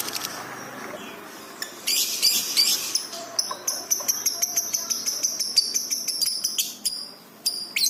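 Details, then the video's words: Lovebird chattering excitedly, recorded for training pet birds: bursts of high harsh chirps, then a steady series of clipped squeaky notes about three per second, with a brief pause near the end. "masteran love bird gacor cepat respon emosi memuncak"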